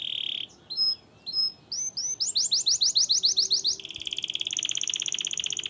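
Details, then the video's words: Singing canary of the cenourinha type: a long high whistled note, a few separate chirps, then a fast run of repeated rising notes giving way to a rapid buzzy trill. "Canário cenourinha, cantarolando."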